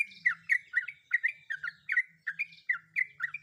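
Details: Female sooty-headed bulbul in breeding condition calling a male, used as a lure to coax birds into rapid ropel singing; quick bursts of chirpy, slurred notes around the mid-high range, tumbling over each other almost continuously.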